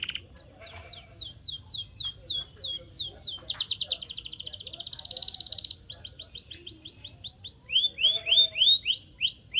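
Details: Canary singing for training canaries to sing: a run of quick downslurred whistles, a dense pulsing trill, a second series of slurred notes, then rising whistled phrases repeated several times at a steady pace.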